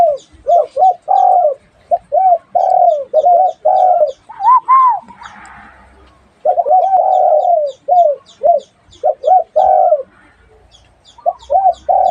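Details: A dove gives repeated bursts of soft, rounded coos, short notes mixed with longer sliding ones and a few higher notes, split by a brief pause midway.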